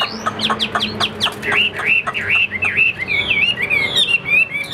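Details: Caged Chinese hwamei singing: a quick run of sharp descending notes, then a string of loud, slurred whistles that dip and rise, repeated several times with a rich, varied tone.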